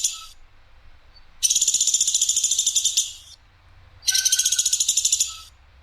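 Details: Woodpecker, the platuk sampit of Indonesian bird keepers, in a tutoring recording with clear, rough, sharp calls: two long, high rattles of evenly spaced rapid pulses, each lasting over a second, with a faint thin whistle between.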